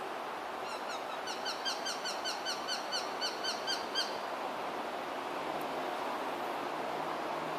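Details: Japanese sparrowhawk calling during courtship feeding, a male wanting to pass prey and a female after receiving it, recorded on a compact camera. A quick series of sharp, bent kew notes, about three or four per second for some three seconds, over steady loud background hiss.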